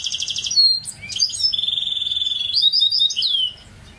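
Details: A goldfinch hybrid delivers a buzzy trill, then twisting slurred notes, a long even rattle, and a few clear rising whistles before falling silent near the end.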